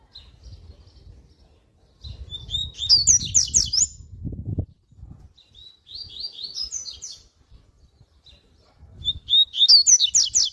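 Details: Double-collared seedeater singing three bright, fast phrases of high twittering and sweeping notes, spaced a few seconds apart, over low rumbling background noise. The song is used to warm up captive seedeaters.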